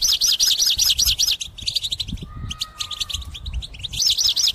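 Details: European goldfinch kept in a cage, singing vigorously as a trapping lure: bursts of high twittering and looping notes, a steady mid-pitched whistle-like tone in the middle, and low rumbling background noise.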